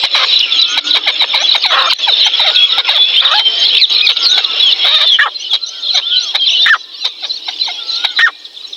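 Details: Wild teetar, a partridge, recorded in the wild, calling during the mating season; dense high chirping and squeaky notes with repeated sharp clicks, several birds overlapping, quieter after about seven seconds.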